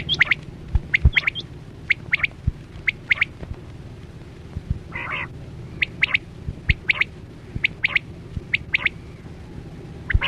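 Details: Chora quail (batera) lure sound for netting: sharp clicking notes in pairs and short runs spaced through the recording, with one brief harsher burst midway, over steady low rumble.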